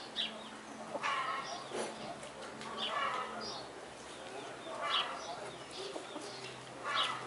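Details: Ruddy ground dove (Columbina talpacoti) nestlings in the nest give soft, thin, squeaky begging peeps in short bursts about every one to two seconds, over a faint background hiss.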